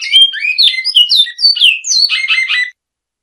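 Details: Classic song of a great-billed seed finch: quick whistled slurs, then three rapid buzzy repeated notes before stopping abruptly, followed by silence.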